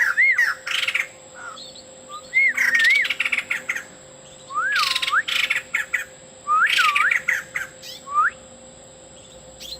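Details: Actively singing male white-crested laughingthrush with mimicked filler phrases: four bursts, each a smooth rising-falling whistle followed by a dry crackling rattle, about every two seconds.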